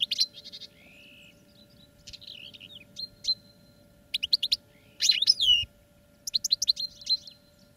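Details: Caged goldfinches, European, singing for training, give scattered bursts of bright twittering with buzzy nasal notes and clipped chirps, separated by pauses of about a second.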